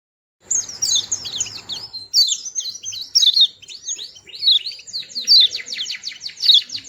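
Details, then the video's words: White-eye, a small bird described as cute and sweet-voiced, singing a rapid high twittering of slurred, down-swept notes, ending in a fast even trill of repeated strokes. "Burung Kecil Pleci Bersuara Merdu"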